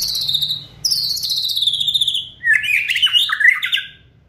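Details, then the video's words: White-rumped shama singing hard, used as a kretekan to provoke and speed up song: long high descending whistled trills, followed by lower, warbled, rising and falling phrases, over faint low hum. "Kretekan Gahar MURAI BATU GACOR ini untuk memancing Emosi dan mempercepat Ngeplong"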